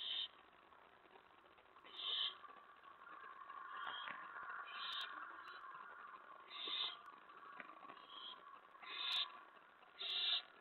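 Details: Begging owl at its nest as prey is brought in to eat, 11:28 PM, May 15, 2017: spaced harsh screechy hisses, one every second or two, over steady rumbling background noise with faint clicks.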